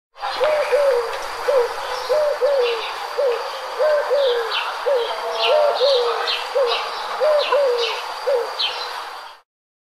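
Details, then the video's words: A dove cooing: soft, low hooting coos in a steady run of short notes, about one every second or two, while other birds chirp faintly and high behind it. "Dove Sounds"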